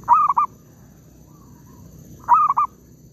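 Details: Oil palm plantation recording of a zebra dove during trapping with a lure: two short phrases of three fast, ringing notes about two seconds apart, with a faint soft coo between them.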